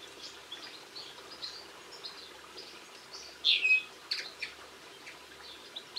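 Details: Linnet song recorded on 22 March 2016: soft twittering notes throughout, then a loud, clear chirped phrase past the halfway point followed by a few quicker chirps, over quiet background.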